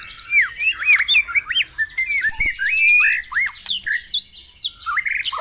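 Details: Varied whistled phrases of white-rumped shama, used as a morning lure to make caged birds sing: looping up-and-down notes in quick succession, overlaid with high ringing tones and sharp clicks.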